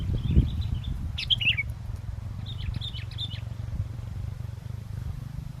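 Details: Sooty-headed bulbul singing actively in strong wind during bird luring: two bursts of quick, bubbly, warbled notes a second apart over a steady low wind rumble, with one faint thump.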